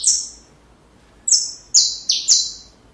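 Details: Saffron finch song for training young birds: a single high buzzy note, a second of quiet, then four loud notes sliding downward in quick succession.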